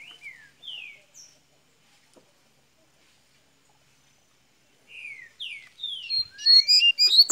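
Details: Double-collared seedeater from Minas Gerais, Brazil, beginning to sing: a few sliding whistled notes, a long silence, then a louder run of rapid, sweeping, slightly buzzy notes rising in intensity.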